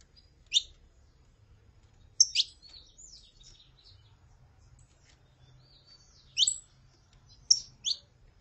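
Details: Female and male saffron finch, the female calling and the male singing: a few loud, clipped high chirps, some in quick pairs, separated by longer silent gaps over a quiet background.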